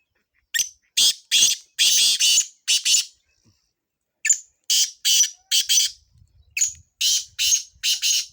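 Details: Call of a black francolin from Sindh for chakree training: coarse, scratchy notes in quick groups, a run of six, a one-second gap, then about eight more, ending with faint low thumps.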